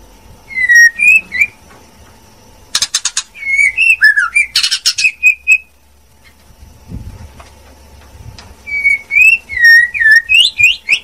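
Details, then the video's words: A female white-rumped shama sings in bursts of varied whistles mixed with harsh rasping notes, separated by a quiet gap with some low background thumps, then resumes with bright chattering phrases. "TIẾNG CHÒE LỬA MÁI HÓT CHUẨN MỚI NHẤT"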